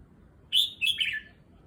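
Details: Caged red-whiskered bulbul, kept at a new place and settling into a new cage, gives one short bright phrase: a loud whistled note, then a quick falling slurred pair over soft background hum.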